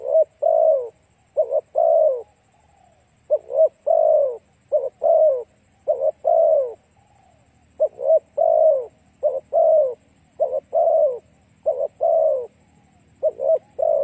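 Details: Spotted dove lure song to attract other doves: long series of deep mellow coos, short doubled notes and drawn-out falling croons repeating, with two brief pauses, in an otherwise quiet background.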